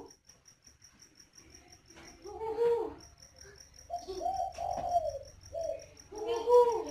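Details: Farm-bred coarse-voiced spotted doves in Ba Vì, Hanoi, Vietnam, giving a series of low hoarse arched coos, rising then falling, with a brief clustered run of notes midway, backed by a regular high-pitched cricket-like chirping.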